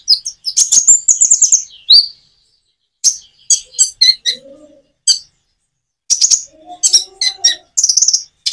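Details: Common iora song with natural gaps, meant to prompt other birds to reply. Rapid high chattering notes come in clusters separated by pauses. Faint lower sliding tones are heard midway.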